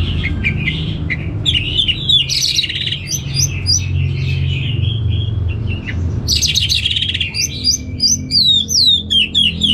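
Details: Orange-headed thrush in steady 'gacor' song in North Bali: dense run of whistles, trills and sharp upslurred notes, with a short pause midway, over low background rumble.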